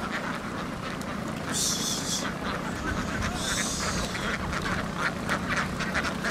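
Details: Vietnamese laying ducks, a whole flock, hurrying from the field onto a boat; rapid irregular overlapping quacks throughout, with two bursts of loud hissing noise, like splashing or rushing water, and a low rumbling background.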